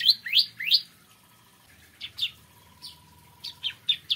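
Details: Bar-winged prinia in the morning: three loud upslurred chirps, a pause, then several softer, scattered short chirps.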